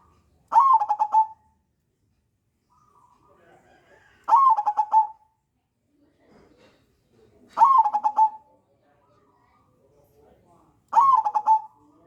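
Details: Zebra dove song used as a lure to prompt other doves to sing: four phrases, each a ringing opening note running into a quick rolling trill, spaced roughly every three and a half seconds in quiet surroundings.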